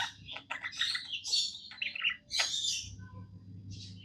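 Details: Happy pet budgies chattering indoors: quick scratchy chirps and squawky notes in bursts, with a brief gap near the middle, over a faint low hum.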